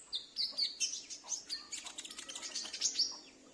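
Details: Household sunbird answering a luring call used for catching wild sunbirds; a dense, rapid, high-pitched twitter of tiny chips and squeaks running together for a few seconds, fading at the end.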